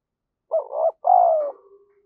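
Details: Spotted dove calling and cooing as a lure to stimulate other doves. A short warbling coo, a short gap, then a longer descending coo trailing into faint low murmurs, otherwise quiet.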